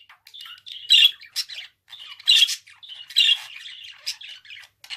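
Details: Budgerigar producing a run of rough twittering notes with three prominent shrill squawks about a second apart, softer chatter filling the spaces.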